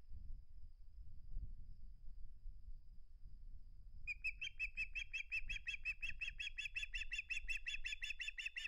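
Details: Osprey on a live-cam nest in August 2020, in a dispute over a flounder; after quiet wind noise, a rapid series of piercing, high whistled chirps starts midway and repeats nearly three times a second to the end.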